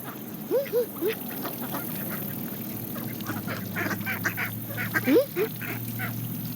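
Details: Canada geese with mallards, feeding on seeds: two bursts of three short rising-falling honks, one early and one late, over a steady murmur of pecking, dabbling and soft quacking.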